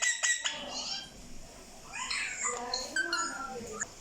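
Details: Talking parrot producing speech-like vocalisations indoors: sharp clicks at the start, then a run of bright, harmonic, squeaky syllables rising and falling, with quieter pauses between.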